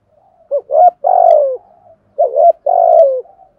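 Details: Spotted dove cooing to draw wild males, two phrases under two seconds apart, each a brief rising pair of notes then a drawn-out buzzy falling coo; faint clicks in the background.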